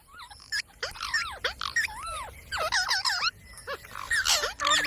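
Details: Parrot chattering rapidly with arched whistled syllables and squeaky notes, a busy varied stream of rising and falling sounds.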